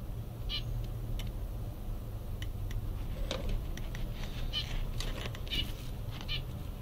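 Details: Five-day-old mandarin ducklings give a few scattered, short, high peeps spaced irregularly across several seconds, over a steady low background rumble and faint clicks.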